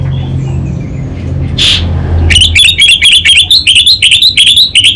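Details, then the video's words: Orange-headed thrush, kept as a caged songbird in Singaraja, North Bali, delivering rapid 'kabel konslet' song. A single chirp is followed by an unbroken stream of fast, sharp whistled notes, repeated densely over a faint background hum. "ANIS BATA Berkicau Gacor Membuat Burung Cepat Tanggap dan Respon Kabel Konslet Lanjut Ngeplong"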